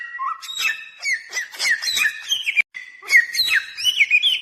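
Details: Lure song of the bare-throated whistler, known locally as samyong: bright whistles with quick slurred turns and sharp chips, a brief break partway, then a long steady whistle leading into further ornamented phrases.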